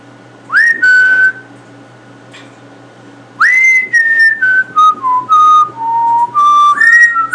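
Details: Captive male African grey parrot living in a house of gamers, a quick learner of words and sounds. Clear whistled notes, each first sweeping up then held level, come in bursts and step gradually lower. Quiet room, a person's voice nearby.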